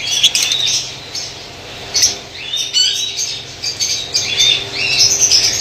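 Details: Colony of white lovebirds in Pakistan calling together: sharp, high chirps and rasping squeaks in quick, uneven bursts, many birds overlapping.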